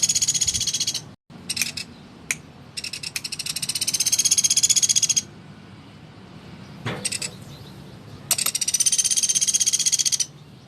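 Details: Energetic woodpecker calls meant as a teaching model for caged shamas, magpie-robins and green leafbirds: several quick rattling bursts of fine high pulses, some short, some lasting two seconds, with a soft knock and quiet gaps.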